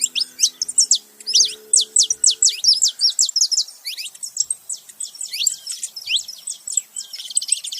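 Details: Male and female saffron finches together making noise: dense bursts of high, sharp chirps and descending notes, rapid and irregular, with a faint low hum in the first seconds.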